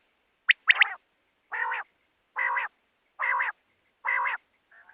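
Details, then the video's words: Quail call: two sharp rising notes, then four harsh, buzzy notes about once a second, against a quiet background. "don batair ki awaz|batair ki awaz|quail sound"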